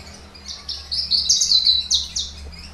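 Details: Caged Horsfield's bush lark of the aliena subspecies from Papua, described as a lively singer, gives a continuous high chattering phrase of rapid buzzy notes lasting about two seconds, steady and loud, with faint low hum beneath.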